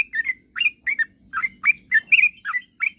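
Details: Yellow-vented bulbul in full song, used to stir rivals into singing. Crisp chirped notes repeat at roughly three per second, each a quick liquid flick with a slight rise.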